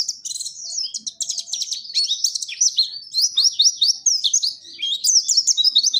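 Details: Nembak mantenan and zipper witwit singing by a Dakun white-eye from Pacitan, Indonesia: an unbroken stream of sharp, high twittering notes and quick rising and falling slurs, lively and continuous throughout.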